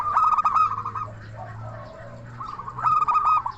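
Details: Local zebra dove song used as a lure to make other doves answer and to stimulate quiet birds: bursts of rapid, crystal-clear trilled coos with a gap between, over a low background hum.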